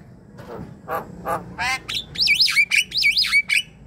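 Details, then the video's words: Javan myna song used to prompt a quiet myna to sing: a few harsh, scratchy notes, then bright whistles that loop up and down and are repeated in quick phrases. The background is quiet. "Ocehan jalak kebo gacor"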